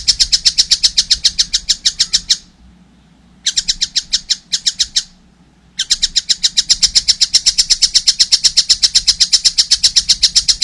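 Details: Juvenile collared kingfisher chattering vigorously: fast, rasping notes about four per second, in bursts separated by two brief silences, then a long steady run.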